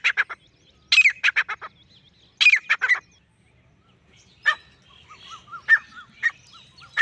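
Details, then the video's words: Calling alone, a male grey francolin gives short clusters of harsh, repeated notes, while softer rising whistles from other birds sound in the background. "Akely Nar Teetar ki Saaf or Full Sound | Awaz Only Male Partridge Sound | Grey Francolin Voice"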